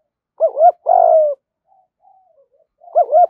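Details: Male and female spotted doves calling to spur training birds into cooing; a double-noted hoot plus drawn-out burred coo, a faint quiet stretch, then the twin opening notes return at the end.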